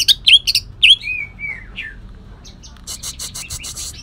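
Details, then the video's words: Caged Kalimantan green leafbird (cucak ijo kalimantan) singing harsh 'tembakan' bursts with mimicked shrike (cendet) phrases: a few loud sharp chirps, then a soft falling whistle and faint rapid ticking notes. "cucak ijo kalimantan tembakan kasar"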